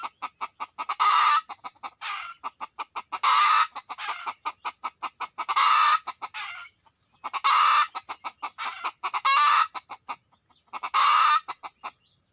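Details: Red junglefowl lured with a decoy, many coming in within two minutes: steady rapid clucking pulses interleaved with five loud, broadband, rasping bursts spread across the stretch.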